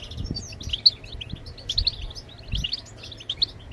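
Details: European goldfinch, called maqnin locally, singing to prompt other birds to sing; quick high twitters and short trilled notes in a lively jumble, with soft low thumps behind.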